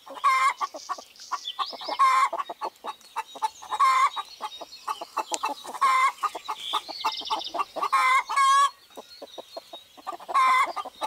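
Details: Rooster and hens outdoors in spring 2018: short harmonic calls recur about every two seconds over a steady run of low clucks, with small birds twittering high above.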